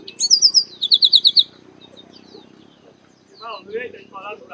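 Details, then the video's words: Chestnut-capped blackbird singing in the Bahia sertão of northeastern Brazil: a quick series of six bright repeated high notes, then softer chattering and lower slurred notes over a faint hum. "Canto Do Garibaldi"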